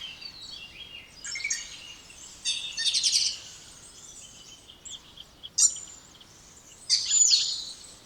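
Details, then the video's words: A spotless starling gives a varied song of scratchy, rattling high bursts, quick clicks and brief whistles. The loud passages are separated by quieter gaps, with a sharp click near the middle. "Canto dos Estorninho Impecável ou Estorninho Imaculado"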